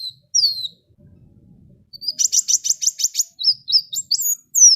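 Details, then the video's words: Sunbird song meant to lure other birds to sing: a high sweeping whistle, then a rapid series of about ten buzzy high notes followed by quick rising and falling whistled phrases. "SUARA KOWUL GACOR ISIAN SUPER MEWAH SEMUA JENIS BURUNG PASTI IKUT BUNYI"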